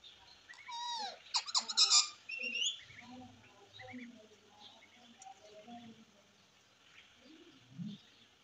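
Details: Talking ring-necked parakeet giving a quick burst of loud, curved, whistle-like and harsh notes, followed by quieter murmured, speech-like syllables against faint background hiss.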